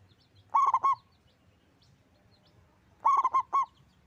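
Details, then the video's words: Zebra dove, local type, singing strongly with a big voice: two phrases of four quick, hollow cooing notes, about two and a half seconds apart, over faint background twitters. "Perkutut lokal gacor suara besar"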